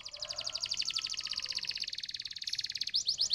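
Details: Canary song used to stimulate other canaries: a long, even, rapid trill of high pulsed notes, shifting at the end to a few quick sweeping notes, over faint background hiss.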